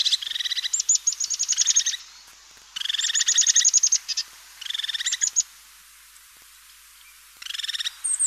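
European crested tit giving high, rapid purring trills in bursts of one to two seconds, each starting with thin notes, repeated after short pauses.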